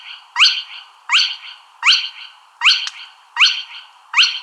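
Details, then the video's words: Spotted crake giving a sharp, whiplash-like rising whistle, repeated steadily about every three-quarters of a second, six calls with no other sounds. "ছিট খেনি পাখির ডাক | Spotted Crake Bird Sound | Spotted Crake Call"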